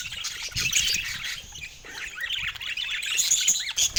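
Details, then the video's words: Several happy pet budgerigars singing in the morning sunshine in San Diego: a dense, continuous warbling chatter of high chirps, squeaks and buzzy notes overlapping throughout, rising and falling in intensity. "Happy Budgies Singing in the Sunshine San Diego Morning Chill"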